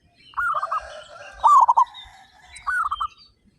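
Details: Three bubbling coo phrases from local zebra doves, part of a flock of 35 said to sing hard with big voices. The middle phrase is loudest, the outer ones softer, with faint twittering above.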